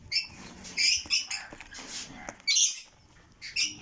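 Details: Red lory chicks giving harsh, raspy, high-pitched squawks in short uneven bursts, with louder bursts near the start, middle and end, separated by quieter gaps.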